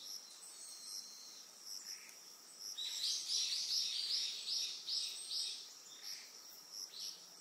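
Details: Eastern yellow wagtail on Amami Oshima, Japan: a burst of bright, high chirping notes fired in quick succession for about three seconds, then fainter scattered chirps, over a steady high insect hum.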